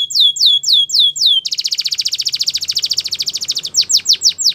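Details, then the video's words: Belgian canary song opening with loud downward-sweeping whistles, switching to a long rapid metallic trill of evenly repeated notes, then ending with more descending sweeps. "Melodies Canary Birds Song | Belgian Canary"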